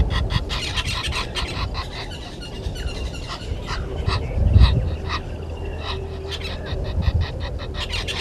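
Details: At a nest tree beside Gowrie dam in South Africa's Sabi Sand Wildtuin, Djuma Game Reserve, a red-billed hornbill gives quick clucking notes, clearest in the opening two seconds, on 30 January 2020 at 10:09; low background rumble and faint thin whistles.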